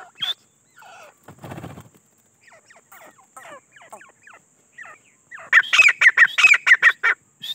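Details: Wild grey francolin (teetar) with faint scattered clicks and notes and a brief rustle before a sudden loud burst of rapid, ringing, repeated notes in the final two seconds; steady high hiss throughout.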